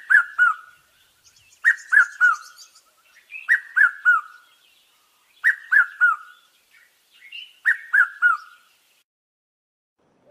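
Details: A Jacobin cuckoo, a southern African cuckoo, gives loud, ringing phrases of three quick, slightly falling notes, repeated about every two seconds; otherwise quiet.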